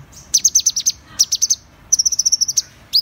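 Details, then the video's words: Van Hasselt's sunbird song: very high, thin, rapid ticking notes in three quick runs, each of five to ten sharp clipped notes, ending with a single rising squeak; faint low background hum. "Tiếng chim HÚT MẬT 7 MÀU chuẩn"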